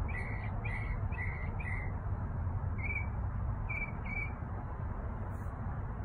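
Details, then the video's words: Backyard birdsong: a quick series of four short, clear chirped notes, then scattered single and paired chirps after a pause, set against constant low-pitched background hum. "Backyard birds singing"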